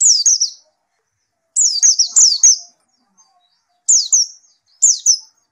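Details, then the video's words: Following therapy, a white-eye sings persistently: clusters of two to four high, rapidly falling whistled slurs, with pauses of about a second between clusters. "Gila nie pleci setelah diterapi gacor terus"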